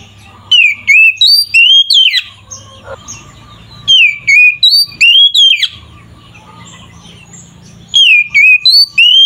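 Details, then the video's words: Oriental magpie-robin in energetic fighting song used to provoke others: three repeated bursts of about five loud whistled notes, each dipping then rising, about every four seconds, with quiet hum between. "Suara burung Kacer GACOR ini sangat ampuh untuk menaikan emosi kacer"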